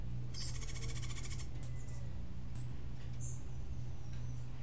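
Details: Martillito-style song of a Cuban grassquit, known locally as tomeguín de la tierra: a dense, hammering high trill of rapid even pulses for over a second, followed by several brief piercing chirps against a low steady hum.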